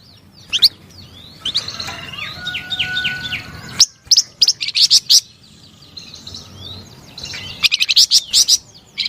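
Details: Melodious flamboyan bird song: sharp high chips and a run of repeated slurred whistles over a steady tone, then scattered staccato bursts, soft twittering, and a final rapid string of loud chips.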